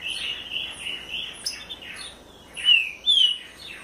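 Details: Green-winged saltator of the southern form (trinca-ferro do Sul) singing a string of clear, slurred whistles, building to two loud, bright downslurred notes near the end; no other sounds stand out.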